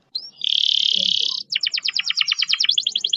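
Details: Canary pouring out a long, fast roll as a tutor song for canaries that seldom sing: a sustained, even high buzzing trill, a short pause, then a rapid series of sharp repeated notes.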